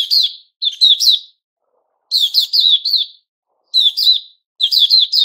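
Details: New-feathered white-crowned shama repeating short, bright phrases of three or four sharp notes ending in a downslurred whistle, each phrase separated by brief silences.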